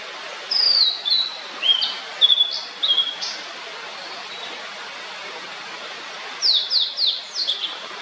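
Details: Blue-and-white flycatcher singing: a series of clear whistled notes, some sliding down, some level, in phrases about a second apart, then a pause of several seconds and a final burst of quick descending whistles; faint steady background hiss.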